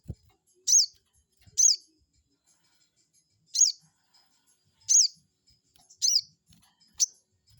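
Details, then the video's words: Rival-provoking lure of a crested jay: seven sharp, high chirps, each slurring downward, at uneven intervals, plus a brief low thud at the start. "pancingan burung sogon bikin emosi lawan,,bikin lawan langsung nyaut"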